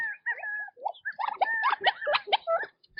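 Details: Quail foraging in their natural habitat, with several birds calling at once: level whistled notes open, then a dense jumble of overlapping rising chirps and short trills.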